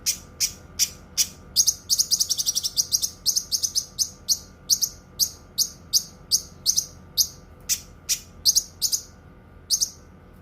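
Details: Cucak kinoi singing a fast run of bright, high chirps, about two or three a second, with quick trilled clusters and a few brief gaps.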